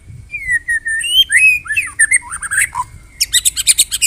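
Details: White-rumped shama of Medan type giving kretekan for morning bird training as masteran; fluty slurred whistles rising and falling, then a burst of fast high rattling chips.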